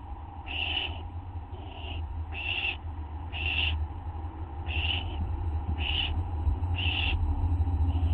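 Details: Well-fed barn owlets at a nest at dawn as the parents bring food: rasping hissed screeches repeated about every 0.7 to 1 second, with a loud steady low hum underneath.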